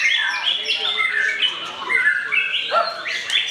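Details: A young murai, not yet a champion but already stylish, performs during the pre-iftar hours: clear whistles and quick warbled notes shifting in pitch, ending with a rising flourish, while other songbirds sing behind.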